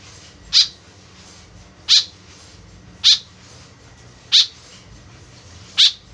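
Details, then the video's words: Harsh, clipped notes from a white-breasted woodswallow (kekep babi) whose call is used as a lure, five in all, spaced about one and a quarter seconds apart. "BURUNG KEKEP BABI GACOR SUARA JADI PIKATAN . SUARA BURUNG KEKEP MENDEKAT"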